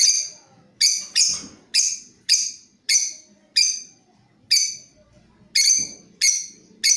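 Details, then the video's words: Lovebird of the Creamino variety calling as a lure for training other birds, a steady series of about eleven sharp rasping chirps, roughly one every half to two-thirds of a second, over faint background noise. "Suara Pancingan Love Bird Paud Creamino"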